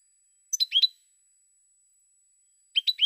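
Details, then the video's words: Goldfinch: two brief bursts of three or four liquid, tinkling chirps separated by nearly two seconds of silence. "Cante De Jilguero"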